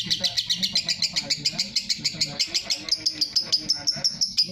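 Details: Lovebird long ngekek chatter for masteran: a harsh, rapid series of high pulses that shifts after three seconds into cleaner, higher, evenly spaced squeaky notes.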